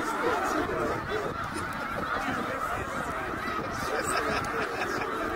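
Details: Snow geese by the tens of thousands on migration at Middle Creek, Pennsylvania, 2023: an intense, chattering chorus of high honks, steady throughout, with slightly louder swells at the start and near the end.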